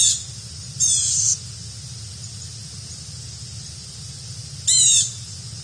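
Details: Carolina wren, one of two visiting, giving harsh, raspy calls with stacked, buzzy overtones, each under half a second, spaced several seconds apart with quiet in between; steady low background hum.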